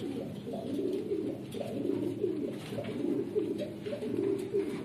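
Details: Red Lahore Siraji pigeons, a domesticated fancy breed, kept indoors: low, murmuring coos repeated roughly once a second over a steady room hiss.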